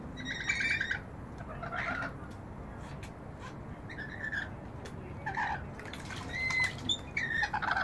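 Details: Bathing rainbow lorikeets at a balcony bird bath: bursts of rasping squawks and thin whistled notes come in irregular clusters, mixed with soft splashes and wing flutters.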